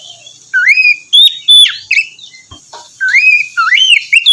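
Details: Oriental magpie-robin song, morning therapy to get a lazy bird singing: repeated upslurred whistles and bright level notes in lively phrases, several about two to three per second, over a faint steady hiss.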